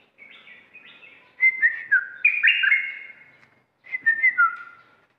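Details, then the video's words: Caged red-whiskered bulbul, used as an aggressive decoy, sings softer whistles that build into a loud run of sliding, swooping notes, pauses briefly, then repeats a shorter whistled phrase. "burung merbah lekir bayhoach thom gacor bahanan"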